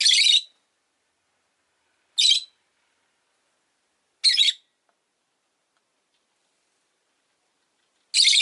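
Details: Rosy-faced lovebird calling with repeated short harsh shrill chirps, four bursts roughly every two seconds with a longer pause before the last, indoors and otherwise quiet.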